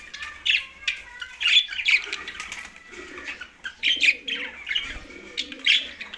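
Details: Green budgies give clustered squeaky chirps and raspy warbles in irregular bursts. Quieter stretches between them hold faint low tones and soft rustling.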